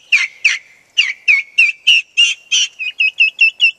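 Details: Domestic turkey poults on a farm, upset because the chickens have ranged out of sight; loud repeated high peeping notes, each a short rising-falling whistle, about a dozen calls at irregular intervals.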